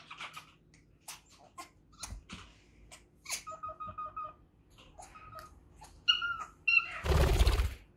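A young African grey parrot begs with scratchy clicks and short nasal, tonal squawks, ending in a loud rasping burst, in a small indoor room.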